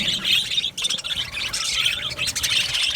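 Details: Budgerigars chirping in an aviary, busy overlapping warbled chirps and short squawks from several birds, steady and unbroken across the moment.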